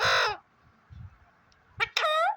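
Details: Parrot in a happy mood on a morning: one loud, rasping squawk, then a pause with low human murmuring, then two more harsh, ringing squawks close together.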